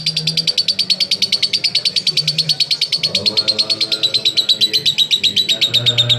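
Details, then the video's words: Lovebird in long ngekek song, played to prompt other lovebirds to join in: rapid repeated high chirps in an unbroken rattling string, pitch easing slightly downward, with a low background hum. "LoveBird Konslet Ngekek Panjang Terbukti Ampuh Pemancing Love Bird Ikut Ngekek"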